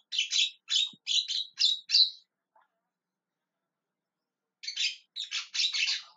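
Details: Javan myna calling loudly: a run of five harsh, rasping squawks, a pause of over two seconds, then four more grating notes, all fairly high and scratchy with no other sounds.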